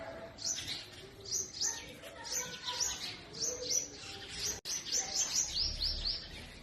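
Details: Purple sunbird singing and chirping in spring woodland of north-west Pakistan. Soft high chirps come in short, quick clusters, with a faster run of rising notes near the end over quiet hiss.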